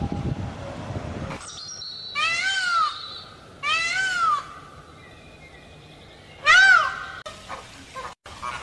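A peacock gives three loud, nasal, wailing calls, each under a second and rich in harmonics, rising then falling. A faint hiss and a click sound in between.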